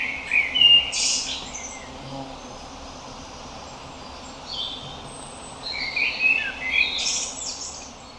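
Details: Common blackbird (Turdus merula), call.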